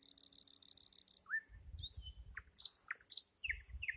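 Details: Nightingale singing: a dry, rapid buzzing rattle of pulses opens, then a rising whistle, a long slurred descending note and sharp high chirps in varied short phrases, over a faint low rumble.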